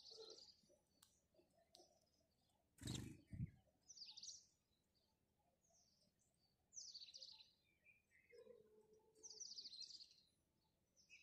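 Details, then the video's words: House sparrows chirp in the morning, repeated bright chirps arriving in loose clusters every couple of seconds, with a sudden loud knock and a lower call partway through. "House Sparrow Chirping"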